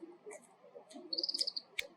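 An Oriental greenfinch gives a quick, even run of about eight bright, high twittering notes, followed by a sharp click, over a low background murmur.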